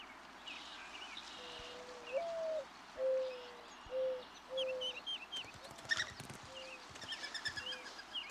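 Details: Mourning dove (Zenaida macroura) courtship song in spring, as doves return to northern states to mate: a young, inexperienced male's serenade to win a mate, a low mournful coo of a soft note, a higher rising one, then three falling hoots, with small birds chirping behind.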